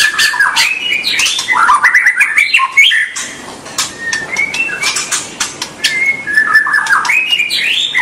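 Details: White-rumped shama singing to stimulate young birds: dense whistled warbles and slurred notes at first, then after a brief pause sparser rising whistles with scattered clicks and a rustling background.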